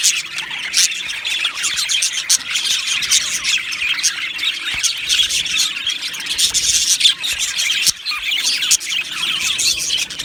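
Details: Aviary colony of Australian budgies chirping and singing. Steady, crowded high-pitched twittering with occasional sharp squeals rising above the constant chatter.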